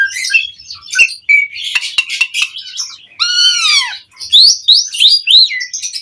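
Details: Asian pied starling song as a lure for birds to answer: mixed chatter, then a long arched whistle with rich harmonics, followed by four rising, quickly repeated whistled notes.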